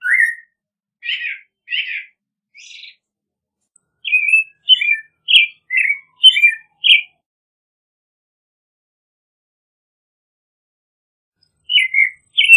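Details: Song of the American robin: groups of short, warbled, whistled phrases delivered in bursts of several notes, separated by long silent pauses, with a final pair of phrases after the longest gap.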